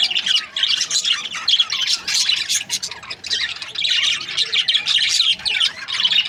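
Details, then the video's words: Australian parrots, budgerigars in breeding pairs, chatter in waves of high squawky chirps and warbles, rising and falling in loudness every second or so. "Budgies parrot chirping sound | Australian parrot breeding pairs"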